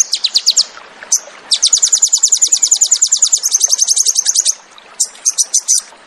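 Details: High staccato notes from a Crested jay, or sogon, in 'tembakan' song used for cage-bird training, leading into a sustained rapid rattling trill, then a short closing burst.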